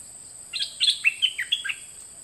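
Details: Brief twittering phrase from a white-eye, recorded in 2020 as a model for young birds learning to sing: a quick tumble of high, sliding notes lasting about one second.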